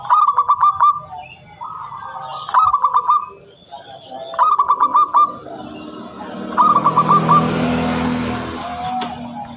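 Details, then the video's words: Local zebra dove singing steadily and very clearly, a song meant as a lure: four bursts of quick, rolling, staccato coos, each about a second long, separated by short pauses, with a hissing background rising near the end. "Perkutut lokal gacor sangat jernih suara terbaik buat pancingan"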